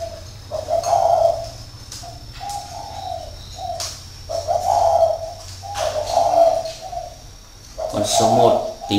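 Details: Caged decoy spotted dove in northern Vietnam pouring out repeated low hollow coos in a lively series, with clicks and a low hum behind.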